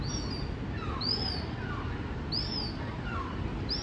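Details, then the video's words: A young black-billed gull (Tarapuka), New Zealand's endemic gull, gives thin, high, arched squeals about every second and a half, with fainter lower notes between, over a steady low rumble of wind. "Black billed gull (Tarapuka)"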